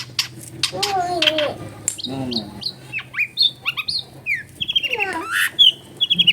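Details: Long-tailed shrike lure song for prompting a reluctant bird, recorded at home in a noisy residential area: varied whistled slurs and chirps, rising and falling, ending in fast repeated high ticks, with background hum.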